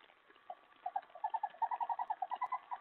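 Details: Owl at night, 3:10 AM on July 31, 2017, during a mouse food delivery; a quickening series of short, even twittering notes, roughly ten a second, growing louder.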